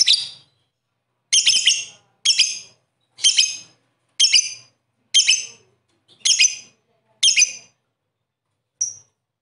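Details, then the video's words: Lovebird repeating harsh, high shrieking notes about once a second, each a short raspy burst, with one softer thin note at the close. "Suara Burung Lovebird"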